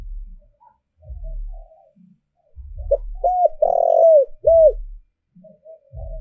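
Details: Spotted dove kept as a lure for wild doves sings one clear phrase: a short note, an arched coo, a long burry coo and a bright arched ending, with soft coos and low bumping sounds around it.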